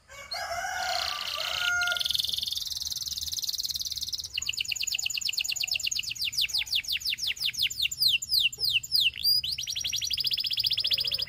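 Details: Singing canary starting with a dense, rolling high warble, then shifting into a quick series of crisp downward-slurred whistles that speed up and slow again; clean, loud, with little background noise.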